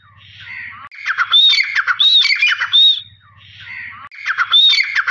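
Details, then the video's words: Francolin (teetar) calling: loud, harsh, ringing phrases of several strident notes, each lasting about two seconds, with short pauses and a soft low mechanical hum between phrases. "Teetar Ki Awaaz | Dakhni Teetar Sound |Irani Teetar Sound |Sindhi Teetar Sound"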